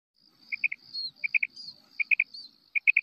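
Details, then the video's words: Female quail (batair) calling, recorded in 2024: bright, clipped triple notes, the groups repeated about every three quarters of a second, over a steady high thin hum. "female quail call maadi batair ki awaz"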